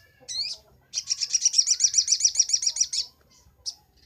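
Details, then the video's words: Sunbird song made as a master recording for training birds: one sharp rising chirp, then a fast ringing high trill lasting about two seconds, and a final short chirp. "Masteran sogok ontong paling ampuh - sogon gacor nembak"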